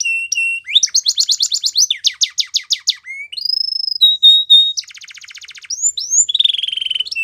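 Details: Canary singing a varied song of rapid repeated syllables: whistled notes, fast trills of rising and falling sweeps, a buzzy rattling trill and clear sustained tones, all high-pitched with no background noise.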